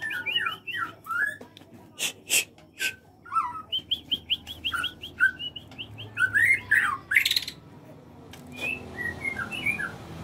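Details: Caged white-rumped shama in an aviary delivering a varied song of fluty whistles, short rising and falling phrases mixed with sharp clicks and chattering notes, with brief pauses between bursts.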